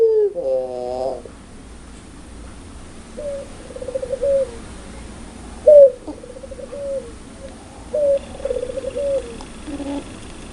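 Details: Ringneck dove of the puter pelung type: a loud opening coo, then a series of quieter two-part coos, each a short rising note followed by a longer level one, repeated every couple of seconds.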